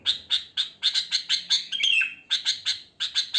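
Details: Sooty-headed bulbul singing in the wild, an unmixed natural song used to attract bulbuls: steady, evenly spaced chirps about four per second, interrupted midway by a longer slurred, gurgling phrase.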